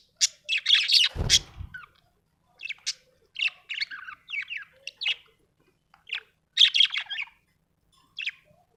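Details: Happy budgie chirping in quick scratchy bursts of high twittering notes with short pauses between them. A brief rustle is heard near the start.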